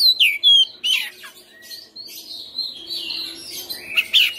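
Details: White-rumped shama, a caged bird in fighting form, singing a loud varied song: whistled slurred notes around 2–5k mixed with buzzy rasping phrases and short sharp chips, delivered in bursts with brief pauses.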